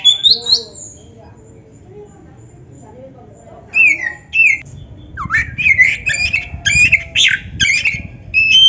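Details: Oriental magpie-robin in lively 'gacor' song with 'isian' fill-in phrases, played to make other magpie-robins answer quickly; after a quiet start, harsh squawky and whistled notes come in quick bursts, sliding and buzzy, over a faint low hum.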